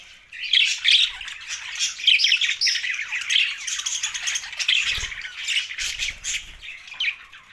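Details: Budgies chirping: a busy chatter of scratchy warbles and squeaky chirps, overlapping and continuous, with a brief low thump midway.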